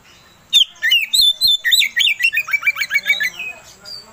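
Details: Loud, lively Oriental magpie-robin song meant to stir another bird into singing, opening with sharp whistles and breaking into a quick run of falling, rasping chirps, over a faint constant high tone.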